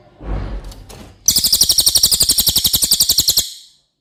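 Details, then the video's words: Tutor recording of cililin song for contest birds: after a brief low rustle, a fast, high, rattling trill of even, rapid pulses runs for just over two seconds. "suara asli burung cililin"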